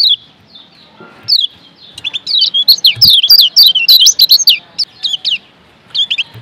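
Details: Lombok yellow white-eye masteran recording: a few lone high chirps, then a fast, continuous twittering phrase of bright sliding notes in the middle, trailing off into spaced calls.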